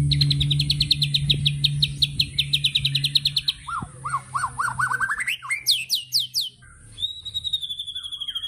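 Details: White-rumped shama in rich, varied song: a fast run of high chips, then lower rising whistles, slurred notes and a long clear whistle, over a low hum.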